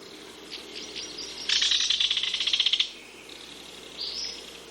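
A kingfisher gives a fast, shrill rattle of about a dozen sharp high notes over a second, with fainter chirps before and after.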